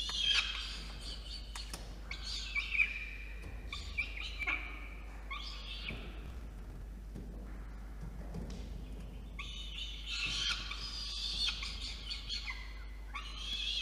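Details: Begging peregrine falcon chick at a nest box on a water tower in Orange, New South Wales, Australia, evening of 5 November 2021, as the male delivers food; repeated loud, rasping, drawn-out screams in bursts with short pauses.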